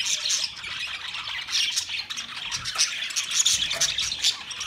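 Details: Budgerigar chatter recorded 13 March 2024, with steady high-pitched twittering and squawks that grow busier and louder toward the end.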